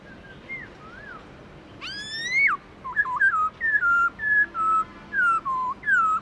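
Black-throated laughingthrush singing clear, varied whistles: a loud rising-then-falling phrase followed by a run of short, bright notes stepping at about one per second.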